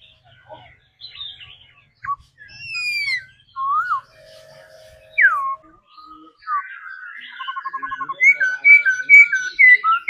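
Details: Daily-trained laughingthrush in song and dance display: varied loud, pure whistles, some sliding down and others swooping up, with pauses between phrases, ending in a run of rapid, repeated bright phrases.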